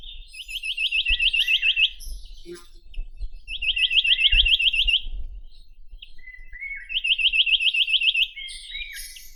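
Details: Chinese nuthatch (Sitta villosa) delivering three rapid trills of bright repeated rising notes, roughly every three seconds, with short chirps and twittering between them.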